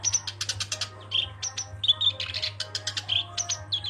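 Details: Black-browed reed warbler chattering energetically, mixing sharp clicking bursts with short clear whistled notes repeated several times, a faint low hum running throughout.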